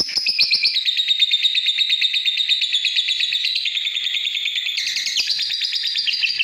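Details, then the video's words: A lovebird delivers a long, steady run of rapid, grating chirps, high and harsh, with brief changes in pitch and texture near the middle and toward the end of the phrase. "Love bird istimiwir"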